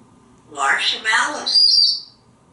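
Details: Pet African grey parrot perched up in a bathroom shower, rehearsing mimicked words: one hoarse, voice-like phrase in two bursts slides into a sustained high whistle, with stillness before and after.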